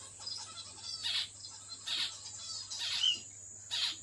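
A zebra finch gives short, harsh, nasal calls about once a second over a steady electrical hum and a faint high hiss.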